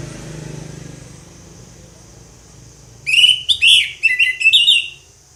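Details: Ngeplong song of an orange-headed thrush: after a low humming background, a loud two-second phrase of rich, rising and falling whistled notes delivered in quick succession.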